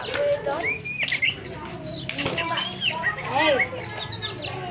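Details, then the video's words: A poci bird sings quick phrases of clear whistled notes, some rising and some arched, over broad rustling and other bird chatter. "BURUNG POCI"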